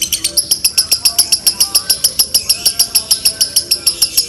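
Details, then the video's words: Lovebird delivering a long konslet trill in a doubled style: crisp, very high ticking pulses repeated briskly and regularly, roughly three to four per second, sustained without a break. "Dobelan love bird konslet mewah"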